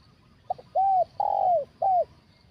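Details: Spotted dove with a big 'kuk satu' voice, heard during trapping with a decoy bird. A soft clipped note is followed by an arched coo, a long, loud falling coo, and a final short hooked coo, all clear over low background murmur.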